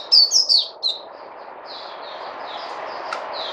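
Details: Puteh white-eye recorded 29 August 2020: four loud, high descending chirps in quick succession, then fainter soft twittering buried in steady broadband noise.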